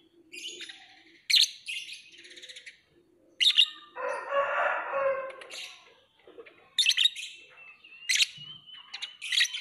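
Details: Lovebird uttering scattered sharp, high chirps and buzzy trills, with a rougher rustling burst in the middle and a thin whistled note near the end.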